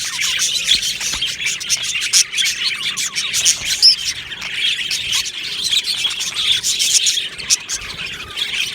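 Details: Australian budgies in a colony aviary on 22 June 2025 keep up nonstop chattering, raspy chirps and brief whistled squeaks crowding together from numerous birds, with scattered clicks.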